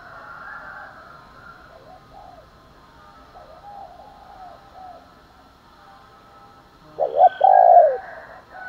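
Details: Spotted dove coo meant to provoke fighting or call in the morning: faint low cooing in the background, then one loud phrase near the end, a quick double note and a drawn-out rolling coo.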